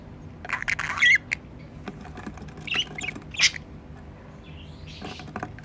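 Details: Pet budgerigars beside their nest box, one of the owner's hoped-for breeding pairs: a brief harsh squawk near the start, then sparse scratchy chirps and a soft rising whistle, over low room hum.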